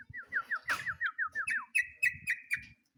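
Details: Sooty-headed bulbul singing to summon a rival: a fast rhythmic chain of loud downslurred whistles, roughly five per second, broken by a sharp click, then turning into higher, clipped ringing notes.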